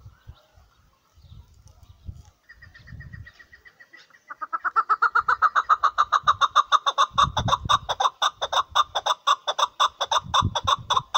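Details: Chukar partridge calling: after a few seconds of quiet low thumps, a loud run of harsh, clipped chuck notes starts and repeats steadily about twice per second, rich and ringing, continuing to the end.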